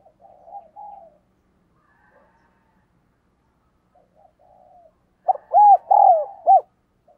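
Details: Decoy dove cooing to attract wild doves. Soft, muffled low murmurs drift in and out, then one loud phrase of arched coos ends with a short clipped note.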